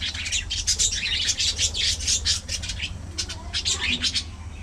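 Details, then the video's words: Budgerigars in a social colony giving dense, rapid chattering chirps in quick bursts, many birds at once, fading near the end, with a steady low hum behind. "Budgie Parrot Colony! A Colorful & Chirpy Paradise!"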